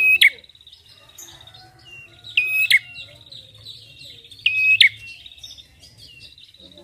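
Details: Prinia call used as a lure for training songbirds: short bright notes with a level whistled tone, sharp chips at the end, repeated about every two seconds, with a faint low hum beneath.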